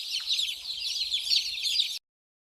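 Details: Several baby chicks running, playing and drinking water, chirping together as a dense, high, continuous chatter of overlapping peeps for two seconds before the sound stops abruptly.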